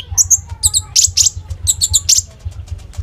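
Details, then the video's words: Lively common iora song, kept as a lure to train ninja sunbirds to sing. Short bursts of very high, clustered chattering notes come in quick groups about every half second, with a constant low electrical hum beneath. "SUARA BURUNG KONIN GACOR FULL NEMBAK ISIAN ROLL TEMBAK"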